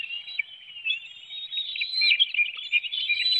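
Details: Bald eagles at a webcam nest in Hanover, Pennsylvania, 7:04 a.m. on June 9, 2019, as an adult brings a small fish and feeds one of two young. A steady, thin, high whistled chatter grows louder over the second half.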